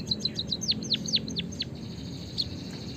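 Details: White-headed munia chirping to prompt other birds into song: a short burst of high, down-curving chirps, about four per second, fading out into a lone later note over a low steady background noise.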